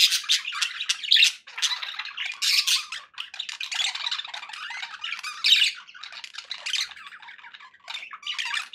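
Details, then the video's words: Pet budgerigars sounding happy, a dense stream of scratchy, buzzy chatter and squawks with quick chirps packed together, barely pausing for nearly nine seconds, noticeably high-pitched and bright. "happy budgie sounds"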